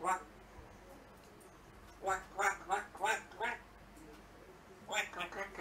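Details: An African grey parrot amusing itself indoors gives a run of nasal, quacking, speech-like calls, about five in quick succession, then another short burst, in a quiet room.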